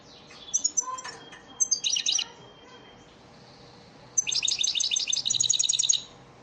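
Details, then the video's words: European goldfinch elmacık lesson song played for caged birds to learn: scattered chirps and a buzzy rattle, then a sustained fast, tinkling trill of high twittering notes. "elmacık saka ders ötüm dersi"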